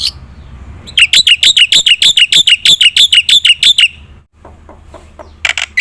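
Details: Energetic black-winged myna song meant to provoke silent birds into singing: one sustained three-second run of rapid, sharp, metallic high notes, followed by near silence and a faint final note.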